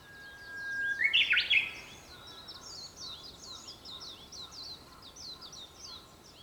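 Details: Japanese bush warbler singing at sunrise on 4 May 2021, shortly before 5 am: a long level whistle breaks into a loud, rising, warbled flourish, while other small birds chirp steadily and high in the background.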